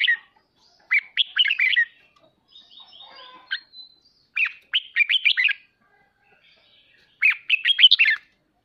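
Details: Red-whiskered bulbul ché song, played to prompt pet birds to sing; three clear bursts of fast, rising and falling whistled notes, each about a second long, separated by quiet gaps with faint thin notes.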